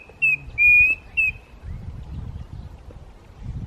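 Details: A Klaas's cuckoo at Walter Sisulu Botanical Gardens, South Africa, gives three clear, high whistled notes, short, long, short, over a faint low rumble.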